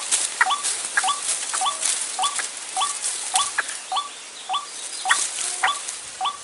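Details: White-breasted waterhen trapping lure in the dry season: a steady series of short, hooked, croaking notes given about twice a second, over a hissing, crackling background.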